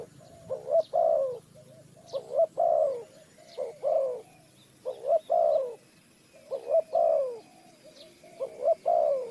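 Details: Spotted dove, recorded in a bird-trapping setting in Ninh Thuận, Vietnam, giving mellow, throaty three-part coo phrases, a short pickup note then a longer drawn-out falling coo, about every second and a half; soft distant chirps above.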